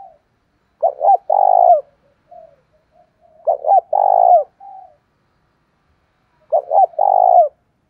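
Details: Spotted dove giving a loud lure call used to provoke rivals into fighting: three coo phrases, each a quick stuttered pair of notes and then a longer throaty coo, repeated about every three seconds against a quiet background.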